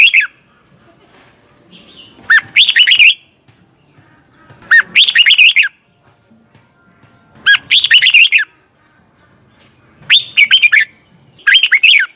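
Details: Morning training song of a caged red-whiskered bulbul: five short phrases of sharp, slurred whistled notes, each under a second, given every two to three seconds, with quiet gaps between.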